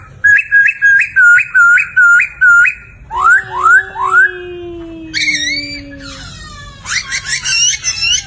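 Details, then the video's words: Energetic poksay laughingthrush song used to train other songbirds: six clipped upturned whistles in quick succession, three rising slurs, a long sliding tone, then busy high chattering phrases. "Suara Merdu Burung Poksay Gacor"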